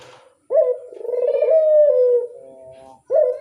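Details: Dove lure call used to draw in other doves: one long, low, throaty coo holding steady then sliding slightly down, starting abruptly and followed by the start of another coo; a quiet indoor background.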